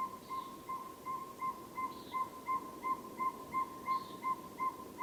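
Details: A Northern Saw-whet Owl gives a long, even run of mellow, mid-pitched toots, nearly three per second, over a soft background chorus of many frogs; a common nighthawk's peents and wing booms are also in the recording.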